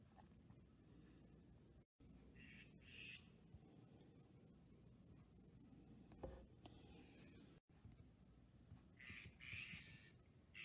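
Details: On 23 October 2023, Steller's jays being harassed by a hawk for days give harsh, raspy squawks in three short bursts a few seconds apart, over a steady low rumble of wind or distant noise.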